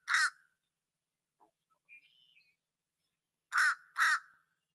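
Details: American Crow, a southeastern US winter feeder visitor, gives its typical call: three loud, harsh caws, one opening the clip and two close together near the end, with a faint higher chirp between.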